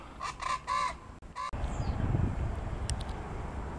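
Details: In Tobago, several Rufous-vented chachalacas (Cocrico) hiding in bushes and trees give four harsh, nasal notes in quick succession over the first second and a half, followed by low rumbling wind and handling noise.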